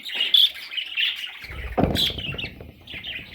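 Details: Parrot chicks give a run of buzzy, raspy chirps, joined partway by a low rustling or handling sound, then more scratchy notes.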